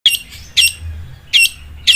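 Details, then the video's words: Long-tailed shrike singing in the sewing-machine style: four harsh, squawky bursts about half a second apart, each a short broad rasp with strong upper tones. "CENDET SUARA MESIN JAHIT"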